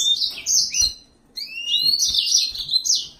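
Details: Yellow-fronted canary delivering high chirps and a dropping whistle, a brief pause, then a long rising whistle running into continuous warbling twitters; soft taps in the background.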